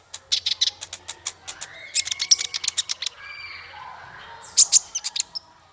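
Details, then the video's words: Bird song recorded for teaching small fighter birds: a long series of rapid, very high, evenly spaced chirps, a brief softer warble, then loud piercing notes. "Masteran paling merdu untuk burung faigter kecil"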